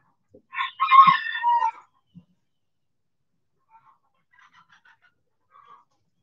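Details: Backyard rooster in the sun gives a short, harsh harmonic crow of about a second, with a couple of clicks, then faint distant clucks in a quiet yard.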